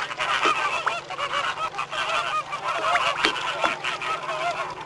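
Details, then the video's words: A flock of American flamingos calling: a dense, unbroken chorus of nasal, goose-like honks and gabbling calls over a low steady hum. "American Flamingos Calling"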